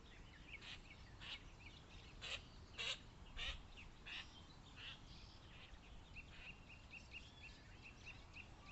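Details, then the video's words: Birds calling at Ebitsuru-numa pond in Higashine, Yamagata, Japan, on May 2, 2026: loud broadband bursts repeat about every half second early on, then a run of short, even, high notes, all over a constant low hiss. "Birdsong by the Green Pond｜緑の沼と鳥のさえずり"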